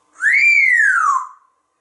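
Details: Pet African Grey Parrot, a talkative household bird known for mimicking animal sounds and singing tunes, gives one loud, clear whistle that rises smoothly and then slowly falls, lasting about a second, in an otherwise quiet room.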